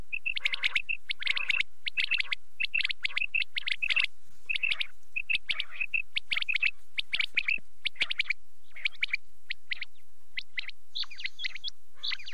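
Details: Quail calling through the night, a continuous stream of rapid doubled chirps and buzzy bright notes from several birds, thinning slightly near the end as a higher thin tone appears.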